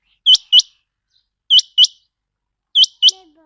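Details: A quail call played to lure quail for catching: paired, bright, rising whistled notes. Each couplet comes roughly every 1.25 seconds, and a faint low sliding tone is heard near the end.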